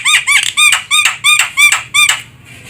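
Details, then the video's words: Javan myna call meant as a lure for bird trapping: six loud, rich nasal notes with layered harmonics, each rising then falling, spaced about a third of a second apart, fading into faint background hum. "Suara burung jalak kebo untuk pikat"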